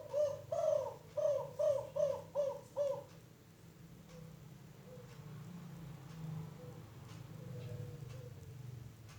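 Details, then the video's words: Young, untrained spotted dove from Rajeg, Tangerang, in the five-note 'kuk 5' coo style, its voice not yet powerful: a run of about six soft, low, hollow coos in quick succession, then quiet background hum. "Burung tekukur kuk 5 bahan"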